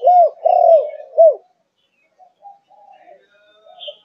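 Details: Four-month-old Malaysian spotted dove of the 'thúc gù' cooing line, giving three loud, low, hooting coos in quick succession, the middle one drawn out longer, then a pause with faint soft murmuring notes and a brief higher chirp.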